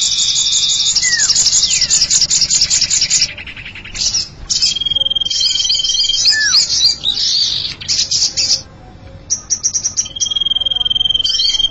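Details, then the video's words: Common iora lure recording: bursts of quick high chirps and twitters alternate with a long steady high whistle and short falling slurred notes, over a continuous shrill buzzing background. "Suara Pikat Burung Cipow"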